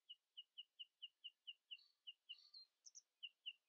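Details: Common nightingale singing in the early morning, keeping rivals from outsinging it: a steady run of sharp, clipped notes repeated about four times a second, broken by a few higher, thinner notes and a faint low whistle.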